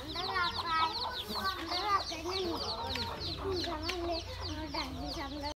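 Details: Hen with her baby chicks on 13 January 2017: the mother hen gives repeated rich, throaty clucks and purring notes, roughly one a second, over constant high-pitched peeping from the chicks.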